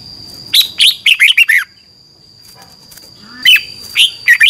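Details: {'text': "Red-whiskered bulbul in Thailand, 'phleng boen' double-style song for phrase-counting practice: a sequence of six clear, slurred, warbled notes, a short pause, then four more similar notes, over a faint constant whine."}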